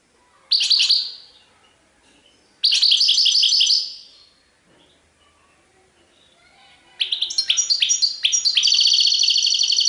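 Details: Serfati Tiwawati style song of a European goldfinch: two short twittering bursts with quiet gaps between them, then a longer, lively phrase of sharp chirps and ringing trills.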